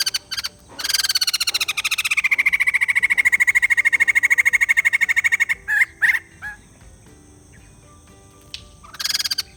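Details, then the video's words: Laughing chatter of a white-crested laughingthrush, meant to make a reluctant bird call: a few short notes, then a long rapid pulsed run holding steady for about four seconds, followed by scattered bursts and quiet. "Beli Poksai Jambul males bunyi, dengar suara ini malah GACOR"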